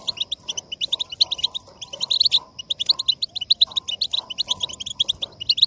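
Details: European goldfinch song for stimulating singing: lively, rapid twittering in short bursts, each a cluster of high tinkling notes, repeated with small pauses, over a faint lower hum.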